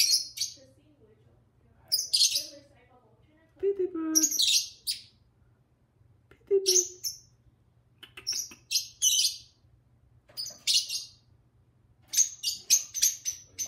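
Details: Pair of pet lovebirds chattering and singing together: clustered bursts of shrill, high chirps separated by short pauses, with a few lower squeaky notes and a steady faint low hum behind.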